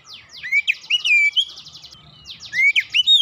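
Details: Oriental magpie-robin singing quickly: buzzy rasping notes mixed with rising whistled slurs, in two phrases with a short pause between.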